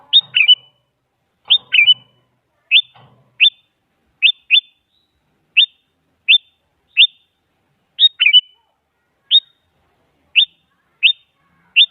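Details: Sooty-headed bulbul lure meant to make a silent bulbul answer, a female calling a male: a steady series of short, high, upslurred chirps about every half to one second, with a few fuller three-note phrases mixed in.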